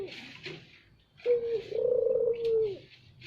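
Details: Spotted dove giving a single loud lure phrase, a short level note then a long rolling croon, over soft high chirps from other birds.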